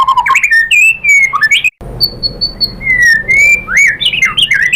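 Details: Singing white-rumped shama, used to provoke other shamas into replying: loud, varied whistles that rise and fall, with a short pause, then a long level whistle and swooping slurred phrases.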